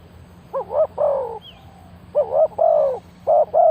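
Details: Spotted dove decoy luring wild birds, cooing in rolling groups of short, wavering notes each ending in a longer hollow coo, with a faint high chirp from another bird in a pause.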